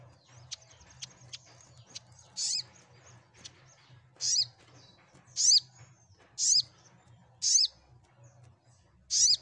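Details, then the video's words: Single sharp, high olive-backed sunbird chirps, each sweeping downward, repeated roughly once a second after a few faint clicks. Played to make mute sunbirds sing back, over a low humming background. "Cukup Sekali Putar SogokOntong Bisu Pasti Langsun Ikut Nyaut & Gacor"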